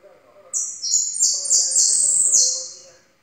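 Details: Yellow goldfinch singing: a loud, high, rapid run of bright twittering and buzzy notes lasting over two seconds, falling slightly at the end, over a low background murmur of voices.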